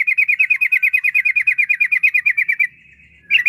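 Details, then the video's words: Yellow-vented bulbul kept as a cage bird, sung as a lure to prompt other bulbuls into long song. Fast, even run of bright chirping notes, about seven per second, then a brief pause and a fresh start. "Trucukan Gacor Ampuh untuk Pancingan Trucuk Biar Cepat Bunyi"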